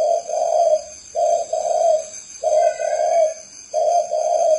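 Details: Spotted dove from Ba Vì, Hanoi, Vietnam, giving a low mellow cooing phrase repeated four times, each a short note followed by a longer rolling coo, with quiet gaps between phrases and a faint steady hum behind.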